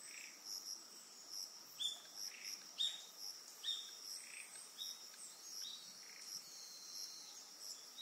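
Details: Eastern yellow wagtail recorded on Amami Oshima, Japan, giving a series of thin, high, sharp call notes, some dropping in pitch, roughly one per second, with constant high cricket-like trilling behind.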